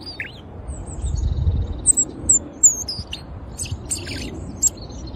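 A robin sings high, thin, varied phrases: sharp chirps and squeaky whistles in quick, irregular bursts over a low rumble of background noise.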